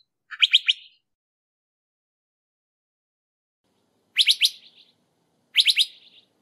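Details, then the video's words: Crissal thrasher giving three bouts of rapid, sharp triple notes, each trailing off briefly. A long quiet pause follows the first bout, then two bouts come close together. No other sounds. "Crissal Thrasher Song! Crissal Thrasher Sound! - Cuitlacoche Culirrojo Canto"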